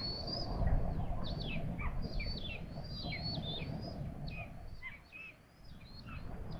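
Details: Feeding-time calls of common buzzards in Tiszalök, Hungary: many high, thin notes that slide downward, tumbling over one another in a busy series for over six seconds, with a constant low rumble underneath.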